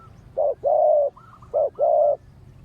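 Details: Spotted dove in a ground decoy setup, answering wild doves. There are two low cooing phrases, each a short clipped coo followed by a longer, even, sustained coo. A soft higher whistle sounds between them.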